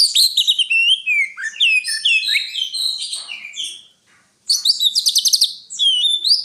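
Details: Greater green leafbird in full song: dense, rapid sequences of bright whistled slurs and chirps falling in pitch, a brief pause, then fast buzzy trilled notes and more whistles.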